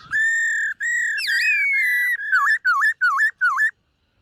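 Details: A white-cheeked laughingthrush sings in morning voice training while displaying, giving long level whistles, then five quick dipping whistled notes repeated about every third of a second.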